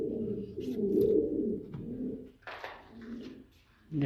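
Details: Indoor cooing of a fancy Saudi Arabian pigeon breed kept in Noakhali: a long low rolling coo in the first half, then quieter murmurs with scattered clatter and background noise.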